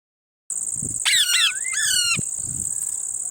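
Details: Parrot calling while eating lemon: harsh, harmonic squawks with falling tails in two bursts, plus a smooth whistled note that rises then falls. A steady high insect drone continues throughout.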